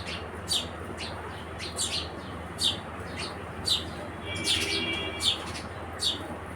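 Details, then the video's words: Irregular, sharp house sparrow chirps roughly once a second, with a brief buzzy trill in the middle and a low background hum. "Sparrow Birds Gauraiya Chidiya"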